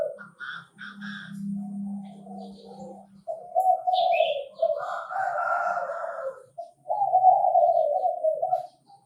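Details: Crowing from a Chinese francolin in Bình Thuận, Vietnam, where birds are trapped. Raspy phrases and stuttering low notes alternate over a faint steady low drone. A few brief high chirps come from other birds.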